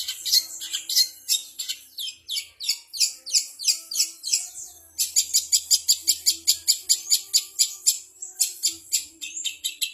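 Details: Mimicry song of a long-tailed shrike (cendet) copying kapas tembak, canary, fighting sparrow and ciblek. Varied descending chirps lead into a long fast series of evenly spaced sharp notes, about three per second, then more mixed twittering.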